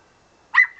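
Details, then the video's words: Pet parrot imitating a dog's bark at the neighbours' dog: a single short, sharp bark-like burst with a thin whistled tone trailing after it, in a quiet room. "the parrot barking at the neighbours dog"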